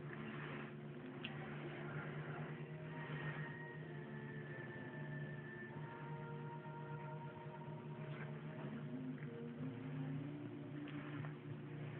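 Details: A steady low indoor hum with faint mechanical whines and tones, like an appliance running, and no clear animal voice.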